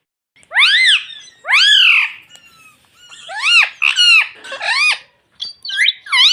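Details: Pet ring-necked parrot talking, repeating "mummy": two long loud arched harmonic calls, then a rapid series of four bright arching notes and quick chirpy fragments.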